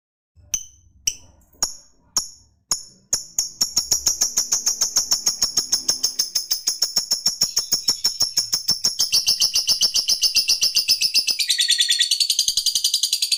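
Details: Lovebird song: spaced sharp chirps speed up into a rapid, continuous, high-pitched chattering trill that keeps going and grows denser and buzzier toward the end.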